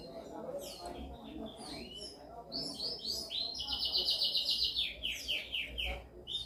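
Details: Canary song for training, somewhat distant: varied chirps and sweeps leading into a buzzy rolling trill and a run of short descending notes, over low background noise.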